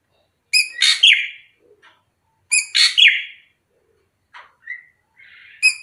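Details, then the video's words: Loud harsh phrases from a srigunting krantil drongo, prized as a lure for its varied voice, each a rasping burst sliding into a descending whistle, about every two seconds, with short soft whistled notes between. "Pancingan Srigunting Krantil Gacor"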